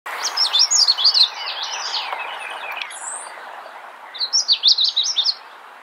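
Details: Wild magnolia warbler singing actively: two bright, rapid phrases of high, sweet warbled notes, each about a second long and repeated after a three-second pause, over a faint steady background hiss.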